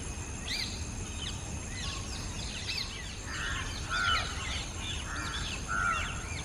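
Rose-ringed parakeets give harsh, scratchy screeches, several overlapping in a loose, uneven series, with two louder shrieks near the end over a low rumbling background.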